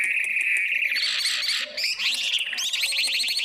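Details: Songbird singing a loud, continuous run of rapid trills and chattering notes, opening on a steady buzzy tone, then shifting into fast stuttering phrases and rising sweeps with hardly a pause; no other clear sounds.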